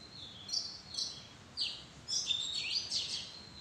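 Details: In a madan tree arbor, an Oriental magpie-robin sings thin high whistles and rapid up-and-down slurs, starting as spaced notes and running together into a busy, warbling phrase in the second half.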